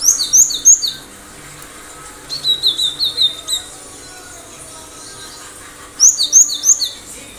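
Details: Cinereous tit singing full and sharp, a lure for other birds to copy: three bright phrases of rapid, high, downslurred whistled notes, each about a second long, with pauses between.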